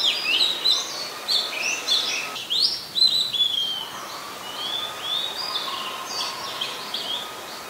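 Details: Oriental magpie-robin singing in Ubon Ratchathani, Thailand, 26 December 2020; lively whistles and chirps at the start give way to softer notes, with a thin steady tone faintly audible underneath.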